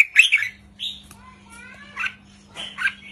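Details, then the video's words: Red-whiskered bulbul, a wild bird, giving a few separate short chirps and brief slurred whistles spaced by pauses, with a faint thin whistled line in the background and a steady low hum. "นกกรงหัวจุกริกมันส์ เพลงสั้นๆ ร้องง่ายๆ สไตล์นับดอก 3-4-5"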